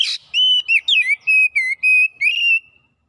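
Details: Oriental magpie-robin (kacer) in fast, chattering gacor song with mimicked phrases: a short harsh burst, then about seven clear whistled notes, level or gently dipping, in quick succession.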